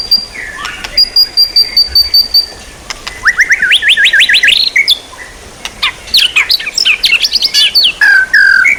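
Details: Songbird training material: a long thin high whistle, then a fast run of rising upslurred notes, followed by dense mixed chattering and whistled phrases that end in a clear downslurred note.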